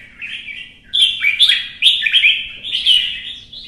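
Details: Red-whiskered bulbul in competitive singing: a high, bright warbling run of quick slurred notes that rise and fall, fairly continuous throughout, over a faint low background hum.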